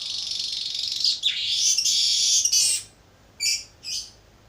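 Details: Young Baya weaver practising its song, a sustained high buzzy, rattling trill of nearly three seconds that dips briefly, followed by two short separate buzzy notes.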